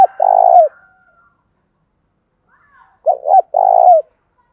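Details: Decoy spotted dove used to excite wild doves into cooing quickly. Two low, burry coo phrases about three seconds apart. Each is a long vibrating note, and the second opens with two short hoots.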